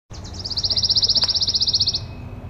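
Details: Pine Warbler (Setophaga pinus) song: a fast, even, high trill of about two dozen quick notes lasting under two seconds, over a soft low background rumble.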